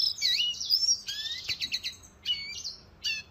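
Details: Short bursts of Venezuelan goldfinch song, high twittering phrases with slurred whistles and a few downward-sweeping notes separated by brief gaps.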